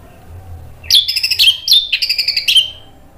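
An orange-headed thrush sings a rich, high, two-second phrase of quick whistled notes and rapid trilled runs, over a faint low hum.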